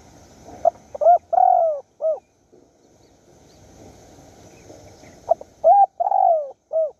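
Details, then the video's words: Spotted dove calling in the wild at a decoy-trapping site in Surat Thani, Thailand: two four-note phrases about four and a half seconds apart, each with short coos, a long falling coo and a clipped end note. "ต่อนกเขาใหญ่สุราษฎร์ธานี หมายในบางใบไม้ นกป่าเรียกคู"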